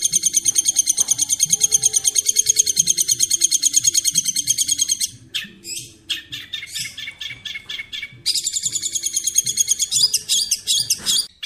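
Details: Long-tailed shrike, a masteran training song: rapid high chattering notes repeated about three times a second for five seconds, then a broken stretch of varied sharp chips and squeaks, before the fast chatter resumes.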